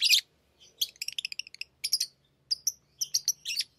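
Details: Pet lovebirds playing with rings, giving quick sharp chirps and short high notes in uneven series, some clipped and buzzy, others brief whistled tones, with a faint low hum beneath.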